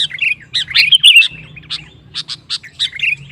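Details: Provocative lively song of a sooty-headed bulbul to make rivals sing: a burst of tumbling whistled notes, then spaced sharp chirps and a final warble, with faint low hum beneath.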